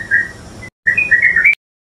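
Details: Yellow-vented bulbul, purak or luklak in Tagalog, Philippines: a short burst of a few quick gurgling notes, a pause, then a rising chattered phrase ending abruptly.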